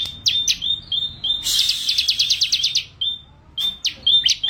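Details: Crescent-chested puffback singing short, clear, high whistles and quick upward flicks, broken midway by a rapid burst of bright trilled notes, then more spaced whistles.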